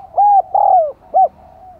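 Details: Spotted dove used as a decoy, cooing to lure others: three low hollow coos, the middle one drawn out and sliding downward, the last short and clipped, all at even pitch.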